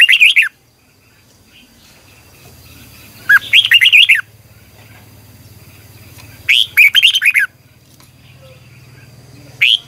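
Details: Red-whiskered bulbul decoy song for morning training, double twisting long voice style; three short warbled whistled phrases spaced about three seconds apart, with a low hum in the background.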